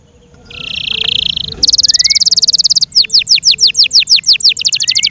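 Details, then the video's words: Yorkshire canary song from a kept bird, opening with a steady buzzy trill, moving to a faster higher rattle, then a series of sharp downslurred whistled notes, with faint low background noise. "THE BEAUTIFUL SOUND OF FI YORKSHIRE CANARIES"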